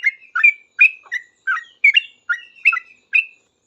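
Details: Sooty-headed bulbul in lively song, answering other bulbuls: quick bubbly chirped notes with short whistled tones, about nine notes in under four seconds, clean background.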